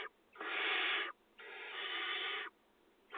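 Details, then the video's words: Begging barn owl nestlings in a camera-monitored nest box on farmland, 2020 season, during feeding; two long, loud rasping hisses lasting about a second each, with a third starting at the end. "האכלת גוזלי תנשמות, קינון 2020"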